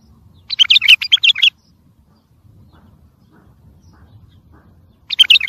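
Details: Bulbul song used for training and motivating young birds. A lively phrase of rapid, chirpy, twisting notes lasts about a second, then near silence, then a new phrase begins.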